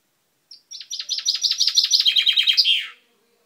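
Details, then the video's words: Pet chaffinch, its beak recently turned purple, recorded 10/05/12. It gives one complete song lasting about two and a half seconds: a quick series of bright repeated notes that drop lower and end in a fast rattling flourish. The background is otherwise silent. "Mi pinzon cantando"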